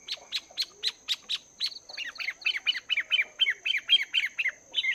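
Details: A wild-caught Chinese hwamei kept caged for two months practises its morning song, opening with sharp clicking notes and then switching to quick, repeated down-slurred whistles, roughly two per second, against a thin constant high hum.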